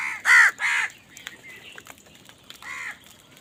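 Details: Two loud, raspy caws come in quick succession from crows fighting over food, then a softer third caw. Faint scattered background calls fill the pauses.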